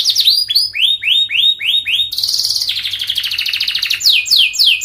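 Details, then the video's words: Canary in long, fast, dense 'gacor panjang' song used to lure young canaries into singing: a run of upward-swept whistled notes, then a rapid buzzy trill and high descending sweeps. "Pancingan kenari paud belajar bunyi"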